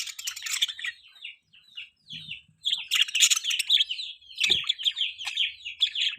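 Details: Budgie chirping loud with quick warbled high chirps and squeaky twitters in near-continuous phrases, pausing briefly before resuming.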